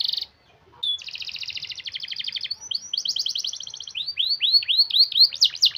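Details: Canary delivering a long, tightly rolled song as a lure for canaries that are slow to sing: a brief note, a pause, then about three seconds of rapid pulsing roll giving way to quick upward-curving chirps.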